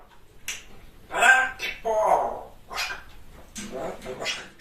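A grey parrot chatters in short, speech-like bursts of a few syllables each, with sharp clicks between them in a small room.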